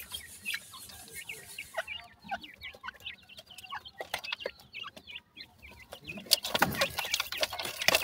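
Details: Young francolins in summer, captive, peeping rapidly in an uneven chorus of high chirps with soft clucks, ending in a loud rustling burst.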